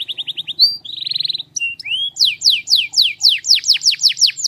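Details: Powerful canary singing: a rapid chip series, a buzzy rolled tour, scattered whistles and a rising slur, then a steady series of loud descending sweeps; low faint hum in the background.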